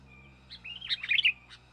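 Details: Sooty-headed bulbul, young bird, calling to lure wild birds: a rising whistled slide that breaks into a tumbling jumble of bright, gurgling notes, ending with a sharp tick.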